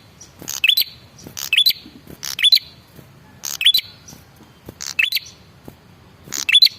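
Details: Male red-headed prinia used as a lure so that others respond: high scratchy bursts, each ending in a sharp rising note, repeated five times in under seven seconds.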